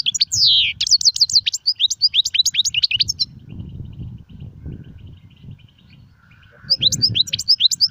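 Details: European goldfinch singing in the Serfati, Gzrati and Sersir styles: rapid high twittering bursts with buzzy downslurred notes and trills, a pause of low rumbling background, then the twittering resumes.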